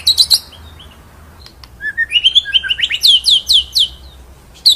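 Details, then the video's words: Shama (murai batu) song in ngerol and nembak style: brief high chips, a pause, then a climbing sequence of whistled notes building into several loud downward-swooping phrases. "MASTERAN MURAI BATU FULL NGEROL NEMBAK"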